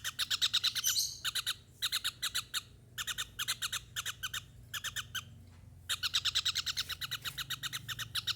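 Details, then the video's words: Javan kingfisher in full voice, giving bursts of rapid, grating notes in rattling runs separated by brief gaps of under a second, the phrases restarting again and again at a steady harsh pace. "TENGKEK UDANG / CEKAKAK JAWA GACOR 24JAM NONSTOP"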